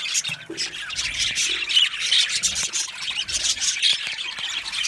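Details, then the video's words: Aviary colony of budgerigars chattering: a constant wash of busy, high-pitched chirps, squeaks and grating squawks from many birds, with brief soft low knocks underneath. "Budgies Chirping sounds"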